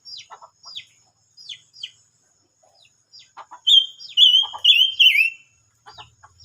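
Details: Silver-eared mesia: a run of sharp, descending chip notes, then a loud phrase of four clear, fluty whistles near one pitch, the last slurring downward, followed by a few more soft chips.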